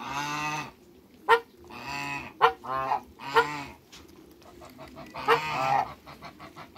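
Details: Two male and one female African geese in a backyard utter deep, drawn-out nasal honks with clear tonal layers, spaced about a second apart, plus a few sharp clicks.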